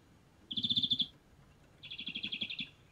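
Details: Characteristic rattling call of a European greenfinch recorded in Kandalaksha, Russia: two quick trills of clicking notes, the first sharp and loud, the second slightly longer and softer, about a second apart.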